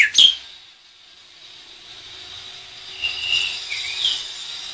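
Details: Tame black-winged myna giving a sharp, high whistled note, then after a pause a harsh, scratchy, wavering phrase; faint background hum throughout.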